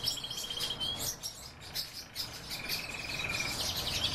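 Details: A breeding pair of pine grosbeaks: clear, level whistled notes with a slight trill, one near the start and a longer one later, among softer high chirps and background noise.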